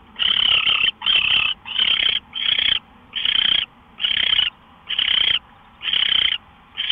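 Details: Owl before dawn on March 24, 2013, 5:27 AM: a rapid series of about nine scratchy, hissing screeches in quick succession, almost continuous at first, then spaced slightly wider; faint hum beneath.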